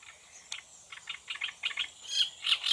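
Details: Great reed warbler (Acrocephalus arundinaceus) song recorded 13 June: loud, harsh, croaking grating notes repeated in quick pairs and triplets, growing louder toward the end.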